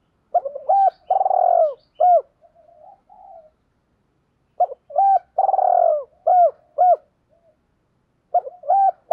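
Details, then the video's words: Spotted dove kept as a decoy, calling to lure wild doves. The cooing phrase comes twice: quick short notes, a drawn-out rolling coo, then two clipped coos. Faint soft murmurs fill the pauses, and a third phrase begins at the close. "chim cu mồi gáy gọi - thúc . giúp bổi nghe rất nhanh nổi"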